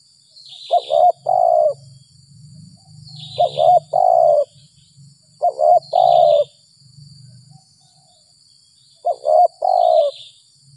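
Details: After rain in early April, a lured spotted dove calls in the 'gagap 6 mata' style. There are four phrases of two clipped notes and a longer, level, mellow coo, spaced roughly two to three seconds apart, with a soft low hum and a steady high tone behind them.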